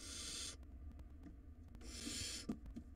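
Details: Two wild barn owl chicks in their nest box, pulling at a big rodent. A harsh hissing screech opens, then a pause with faint scratching and shuffling, then a second breathy screech.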